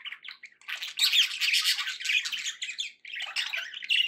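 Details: Caged budgies keep up a dense, rasping warble, loud chatter of squawks and chirps running almost without pause, one brief dip before resuming.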